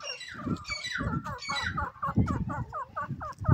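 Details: A francolin (teetar) calls in a field with pigeons, giving a fast run of short, harsh, clucking notes, repeated several times a second, over a low rumble of wind or handling noise.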